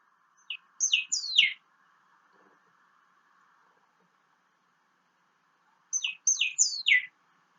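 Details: Long-tailed Meadowlark (loica) of central Chile singing two short trill-like phrases about five seconds apart, each a quick run of descending, slurred whistled notes ending in a harsh buzzy rattle.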